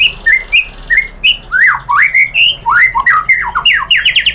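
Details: White-rumped shama song used to lure other shamas into a heated reply: loud rising and falling whistled swoops and chattering notes in a rapid, varied stream.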